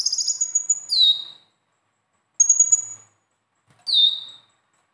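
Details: Captive konin sunbird in besetan style, used to prompt other caged birds to sing: thin high whistled phrases, each ending in a downward-sliding note, in three bursts about one and a half seconds apart with silent gaps.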